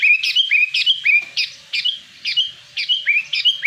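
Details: Sooty-headed bulbul lure call, used to draw in wild birds and to prompt silent captive bulbuls to sing: bright whistled notes that rise and then dip, repeated in quick, uneven succession about twice a second, with no other clear sounds.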